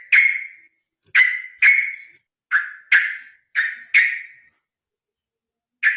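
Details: Sooty-headed bulbul in lively fighting song meant to make birds sing often: loud, clear whistled notes with a sharp attack that fade quickly, given singly or in quick pairs, about eight within six seconds.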